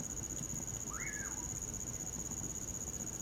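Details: Common pauraque singing at night in winter: a single slurred whistle that rises sharply then falls away, over a steady high cricket drone beside a campfire.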